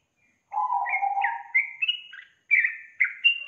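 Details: Yellow-vented bulbul, played as a lure so a lazy young bird starts singing: a low warble followed by bright, bubbly whistled notes in short bursts.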